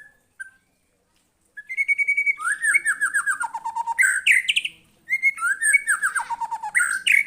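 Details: White-rumped shama singing energetically in response to a lure recording, showing off its mimicked phrases: after brief opening notes, a fast, varied run of whistled slurs, descending chirp series and harsh high bursts, pausing once before resuming.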